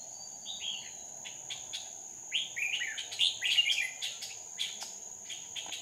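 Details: Decoy red-whiskered bulbul singing while wild birds are being trapped, 2 May 2019: a run of quick, rich whistled and warbled notes, densest in the middle, with scattered clicks and a constant high-pitched insect-like drone behind.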